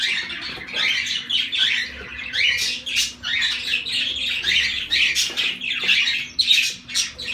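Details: Several zebra finches squawking and beeping at once, a busy mix of harsh nasal calls and sharp rising chirps, loudness swelling and dipping every second or so over a quiet background hum.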